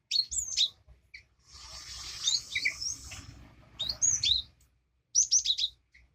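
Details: Cinereous tit used to get a quiet caged bird singing again: crisp high downslurred whistles at the start and end, with a rustling hiss in between.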